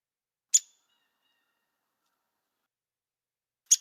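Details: Downy Woodpecker call, a one-note call replayed for comparison with the Hairy Woodpecker, DuPage County: two sharp, high single notes about three seconds apart, otherwise silence.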